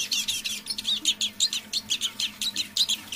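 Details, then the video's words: Captive decoy Eurasian siskin singing softly, half-voiced, in the evening: rapid high twittering notes with thin whistled slurs, about three bursts per second, close and clear over a faint low hum. "Песня моего манного чижа"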